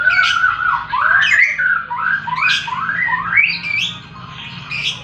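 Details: Lovebird singing in the ngekek style with ngetik ticking notes: long, continuous chattering trills of rising and falling squeaky slurred phrases, loud and shrill, with a faint low hum behind.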